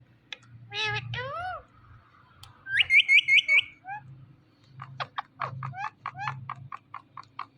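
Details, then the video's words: Indian ringneck talking parrot producing speech-like harmonic syllables, then a quick run of five bright rising whistles, followed by a string of short clicky chirps repeated rapidly, with a faint low hum underneath. "Indian Ringneck Talking Parrot"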